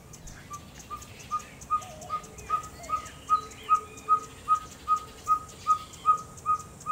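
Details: Ferruginous pygmy owl (Glaucidium brasilianum), a diurnal pygmy owl, in Orotina, Costa Rica: a long series of short, clear whistled toots on one pitch, about two and a half per second, growing louder, with faint chirps of other birds and insect hiss.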